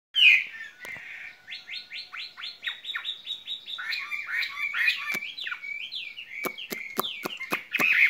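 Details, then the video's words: Caged skylark singing a spring love song: a rapid run of short, sharply repeated chirps, then a rolling warble of varied, bending notes, ending in a series of crisp clicks. "lồng son ca bản tình ca mùa xuân"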